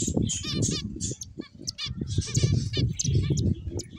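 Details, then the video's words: Finches trade rapid, buzzy high chirps several times a second, some notes in short trilled clusters, over a dense low rumbling background. "Beautiful Finches Chirping Sounds"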